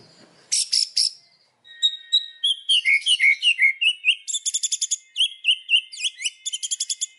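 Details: Afternoon song of a white-rumped shama showing off hard learned phrases: a few high chips, then a long run of clear downslurred whistles and fast repeated metallic trills in quick succession.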